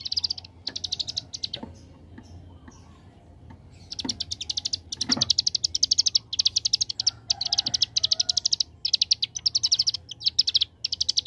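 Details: Young hill prinia (ciblek gunung) in ngebren style, singing briefly at first, then after a few seconds launching into long, dense, machine-gun-like bursts of very high, rapidly repeated chips that continue to the end.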